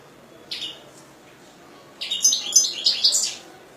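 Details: One high chirp, a pause, then a lively run of quick, jangling twitters and thin whistles from a European goldfinch kept by a bird hobbyist.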